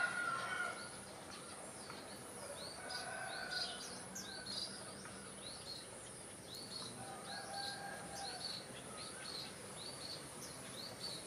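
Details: In a village garden in northeastern Thailand, a White-rumped munia gives a run of high, thin chirps in quick clusters, while softer, lower whistled notes from other birds sound at times behind them.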